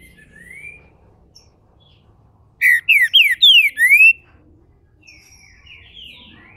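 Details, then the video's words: Green-winged saltator, a captive bird in Brazil, opening up into its main song. A tight burst of five strong whistled slurs, mostly falling and ending with a rising one, stands between soft scattered whistles before and after. "trinca ferro MULEKE, abrindo canto... canto principal!!!"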